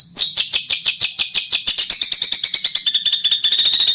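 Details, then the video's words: Rough besetan bird song meant as a master for training competition birds: a continuous rapid volley of sharp, high chirps that speed up and grow denser toward the end. "MASTERAN Burung Denagn Suara Besetan Kasar"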